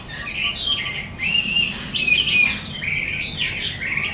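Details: Chinese hwamei, 'mơ' type, belonging to an artisan keeper, singing loud separate phrases of sustained, slightly warbled whistles, with brief pauses between bursts and sharp rising accents.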